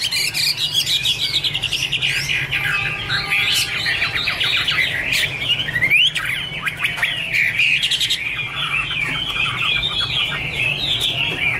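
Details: Chinese hwamei, 2017, delivers a long, dense stream of loud whistles, trills and harsh squawky notes that tumble on without a break, including one sweeping rising whistle midway.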